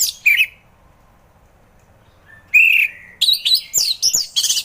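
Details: Orange-headed thrush singing in the relaxed ngeplong style, used to coax reluctant thrushes into song: a short high chirp, a long pause, then a burst of rapid, varied whistled and buzzy notes.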